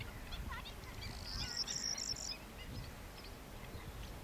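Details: Corn bunting (Emberiza calandra) song at Fuente de Piedra, Spain, in April 2011: a brief, high, dry jangling trill lasting about a second over a steady low rumble of wind, with a few faint chirps just before it.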